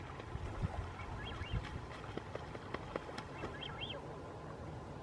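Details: Upland goose bathing near Río Hollemberg, Magallanes Region, Chile, gives a few soft, high, arched whistles in two short pairs over a steady low rumble with splashing water.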